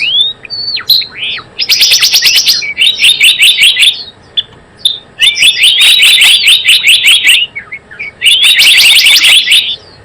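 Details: Java sparrow call played as a trapping lure: rapid chattering runs of high chirps and dry clicks in several bursts separated by brief pauses, with a few upslurred whistles at the start.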